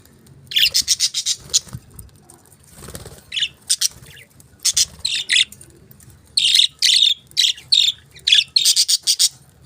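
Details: Budgies chirping steadily: rapid runs of scratchy, buzzy chirps grouped in quick bursts with short pauses, several birds overlapping, faint low background hum.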